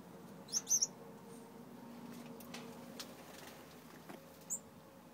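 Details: Young yellow Gouldian finches that have just started leaving the nest give a quick cluster of thin, very high chirps, then a single chirp near the end, over a steady low hum.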